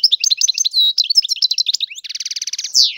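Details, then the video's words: European goldfinch singing a fast, liquid twitter of bright chirps and slurred notes, then a rapid buzzy trill and a final rising whine. "تغريد الحسون"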